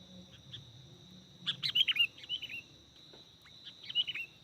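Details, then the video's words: Bird-luring recording of kutilang, the sooty-headed bulbul: a rich burst of warbled, bubbling whistles falling in pitch, followed by a shorter similar phrase, with a steady high hum and quiet low background noise. "Mikat burung kutilang"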